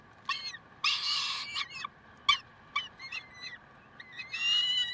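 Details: Peregrine falcons in Karlsruhe on 30 May 2010, 7:27: squealing, wailing calls mixed with sharp clipped notes, ending in a longer drawn-out harsh cry, over a constant background hum.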